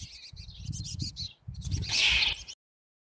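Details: Female black-capped chickadee hissing in defence against a house sparrow before fighting back: chirpy high twittering, then a loud, harsh, broadband hissing burst lasting about half a second, with low rumbling noise beneath.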